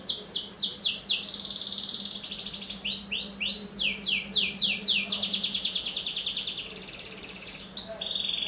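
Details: Canary song used as a prompt for young canaries: repeated sharp downward-sweeping notes several per second, buzzy rolled trills and a closing steady whistle, with a soft low hum beneath.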